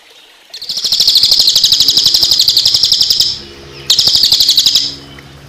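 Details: Cililin singing as tutor audio for songbirds, with water sounds behind: a long, fast, high, even trill lasting nearly three seconds, a short pause, then a second shorter burst of the same rapid pulsing notes.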